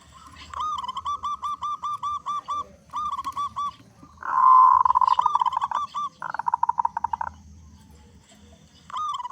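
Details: Local zebra dove with a big voice, used as a lure to make other zebra doves sing quickly. Several mid-pitched phrases of rapid staccato cooing notes, one louder rolling burst in the middle, with short pauses between phrases.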